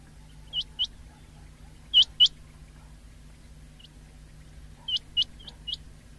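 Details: Common quail calling, recorded 19 February 2024: scattered short, sharp whistled notes, mostly doubled, in separated bursts with quiet gaps of a second or more, over a low steady hum.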